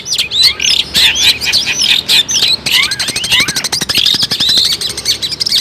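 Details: Lively long-tailed shrike song compiled as a lure for bird trapping. Rapid, varied high notes with rising and falling whistled slurs, then a run of sharp dry ticks mixed with thin sweeping whistles.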